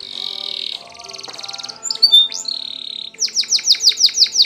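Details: Timbrado canary song for training canaries: buzzy steady tones, a fast rattling trill, slurred whistles, then a run of repeated descending chirps about five per second.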